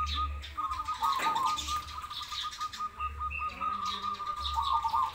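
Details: Lively zebra dove song from a crossbred versus local matchup: an almost unbroken stream of quick, purring cooing notes at a level mid pitch, with low pulsing hum beneath and faint higher chirps.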